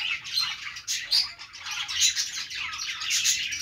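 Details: Several budgies chatter at once: a busy stream of shrill chirps, squeaky whistles and scratchy warbling notes that swell and dip in short bursts.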